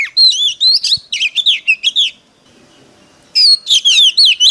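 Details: An Oriental magpie-robin sings in a competitive singing display: rich, fast bursts of varied whistles, sweet slurred notes and harsher chatters, high-pitched, with a brief pause before the next phrase.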